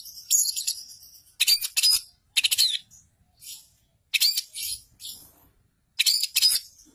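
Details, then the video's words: Long-tailed shrike master song rich in imitations of tree sparrow, canary, lovebird, sooty-headed bulbul and cililin; high chattering, scratchy bursts of tweets in short phrases separated by brief pauses, with no other sounds. "Masteran Cendet Tonjolan Isi Gereja Kenari Lovebird Kapas Tembak Cililin"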